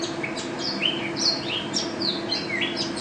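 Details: Mountain white-eye, a national contest winner, gives a busy, high-pitched ropel warble of short slurred whistles and sharp chips in quick succession, set against a constant low hum.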